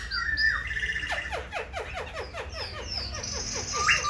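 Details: Caged silver-eared laughingthrush, a tame all-day singer that dances its wings and spreads its tail; a rapid cascade of short sharp falling notes, bracketed by drawn-out whistles.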